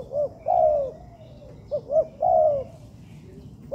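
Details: Cooing of a captive spotted dove under training in an artificial yard, with short double notes followed each time by a long, mellow, downward-curving coo, the phrase repeating about every two seconds.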